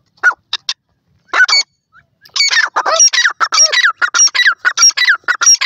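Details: ['Female black francolin with her chicks: loud, nasal, harmonic notes, at first in short separate bursts, then a rapid, steady run of repeated squawking calls, roughly one and a half per second.']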